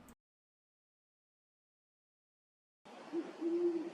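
A great horned owl gives low, soft hoots in quick succession after a long silence, with steady background hiss around them.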